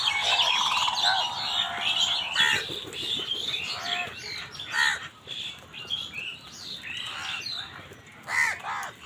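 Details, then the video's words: Crows squabbling with wild birds over food: harsh, arched caws break out now and then amid a busy chatter of high, quick chirps from other birds. "Crow bird crowing sound কাকের ডাক"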